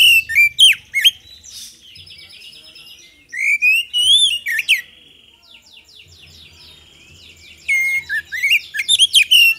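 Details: Actively singing Oriental magpie-robin, played to lure other birds into responding; rapid sharp whistles, a buzzy sustained passage, more varied sweeping notes, and a closing cluster of loud chirps over soft background hum.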